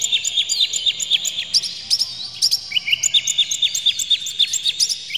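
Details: Oriental magpie-robin lure song with harsh, clear material meant to provoke birds. Steady rapid series of bright, sharp whistled chirps repeated several times per second throughout.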